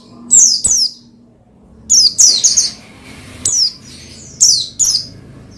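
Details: High-pitched Oriental white-eye twittering, intended to excite another bird into song: paired quick downward chirps, then a dense chattering burst, then scattered single slurred notes spaced about a second apart.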